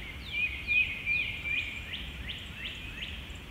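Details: At sunrise in spring by a full-running creek in south-central Indiana, a couple of nearby Carolina Chickadees give a quick run of high, slurred notes, each sweeping downward, about three per second, over a faint outdoor hum.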